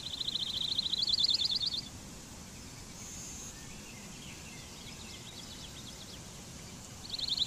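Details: Blue-winged warbler giving a dry, buzzy two-part song, a lower insect-like buzz sliding into a higher rasping one, then a pause of about five seconds before the next buzz begins, over faint background hiss.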